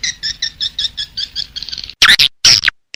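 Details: Swiftlet call used as a lure to attract swiftlets: rapid chirps repeated about seven times a second, then loud, harsh, broadband twittering bursts separated by abrupt silences.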